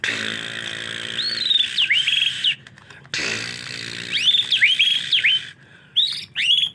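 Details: White-rumped shama in the rainy season around bathing: looping high whistled notes over a steady hiss, with short gaps and sharp upswept chirps near the end.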